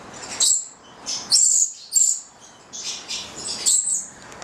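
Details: Italian pair of nine-month-old Charmosyna papou goliathina lorikeets, Valentine's Day: sharp, thin, very high squeaky chirps in irregular clusters separated by short pauses, some notes with a brief piercing whistle.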